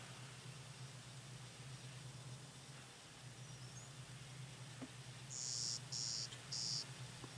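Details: A male Clay-colored Sparrow (Spizella pallida) sings at Kellys Slough NWR, North Dakota, on 14 May 2010: three flat, high, insect-like buzzes in quick succession, each about half a second, over a steady low hum.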